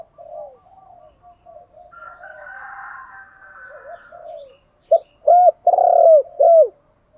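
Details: Spotted dove used as a decoy, cooing to provoke wild doves to answer; soft low coos and an echoing wash give way to a loud phrase of three short, hollow, arching notes near the end.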